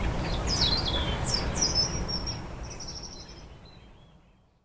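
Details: A common snipe (Gallinago gallinago) taking off gives a quick run of thin, high, downslurred "kszyk" calls fading within about three seconds, over steady low wind rumble.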